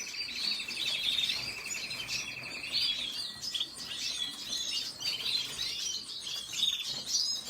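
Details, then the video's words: Red siskin singing: a buzzy rapid trill held for about three seconds, then high twittering phrases with quick rising and falling chirps, steady throughout. "سیسکنی سور سسكن فنزويلي احمر red siskin"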